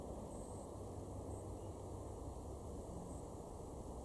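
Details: Faint steady low rumble of distant traffic or an aircraft with broadband hiss, and no animal calls.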